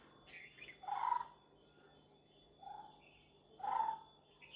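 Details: Lineated barbet calling: low, hollow, throaty notes given in short bursts, three clear bursts about every one and a half seconds, over a quiet steady hum.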